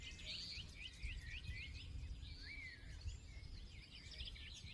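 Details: Forest birds singing: looping whistled phrases, a few buzzy high warbles and one clear downslurred note, with several voices overlapping over a low continuous rumble.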